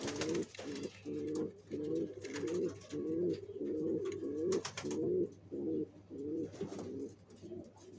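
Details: {'text': 'Pigeons building a nest for their eggs coo in a steady stream of low, bubbling, pulsed phrases, about one and a half per second. Sharp clicks and rustles from movement break in now and then.'}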